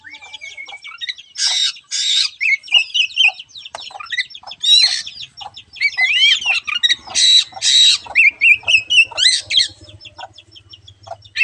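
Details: Kacer, the oriental magpie-robin, singing a lure song meant to coax a lazy bird into singing: dense fast medley of chirps, rising whistles and loud scratchy harsh bursts, nearly continuous, with a faint low hum underneath.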